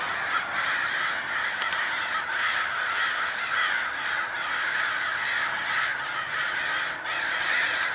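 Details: Crows swarm by the hundreds at daybreak, diving and making a great deal of noise. A continuous blanket of rasping caws rises and falls slightly in waves throughout.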